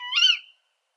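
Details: Female tawny owl giving the call that gives the species its dialect name "kuwik": a single shrill, strained note about half a second long, harmonic-rich and slightly rising then falling, ending abruptly; no other sounds.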